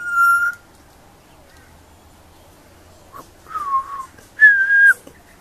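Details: Juvenile pied butcherbird giving three separated whistles after a long pause: a held clear note, a lower wavering tone, then a louder steady whistle.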